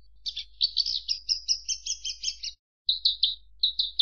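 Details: Javan bush lark pouring out a quick run of buzzy, harmonic-rich high notes. After a brief silence come a few more repeated chirps.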